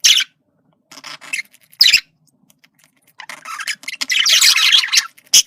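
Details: Male budgerigar giving communication sounds: scratchy, rasping bursts of chatter separated by short pauses, ending in a long dense warbling stretch.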